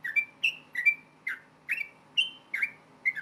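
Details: Yellow-vented bulbul in fast fighting-style song, known locally as ropel tarung, meant to provoke other bulbuls into answering: short bubbly whistled notes, each slurring down then levelling, repeated roughly twice a second against a faint low hum.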